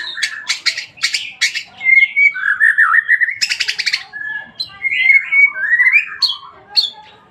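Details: White-rumped shama in full song: buzzy rattling bursts alternate with clear sliding whistles and warbled phrases, delivered fast and varied.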